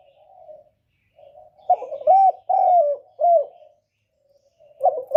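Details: Spotted dove as a trapping lure to draw wild doves: gentle low purring, then a phrase of four rich coos, with another phrase starting at the end.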